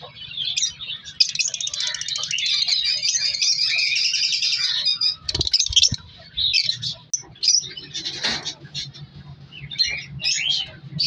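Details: Loud chattering of many African color lovebirds in a captive breeding colony for about five seconds, then scattered sharp chirps and squawks with pauses, plus rustling and handling noises.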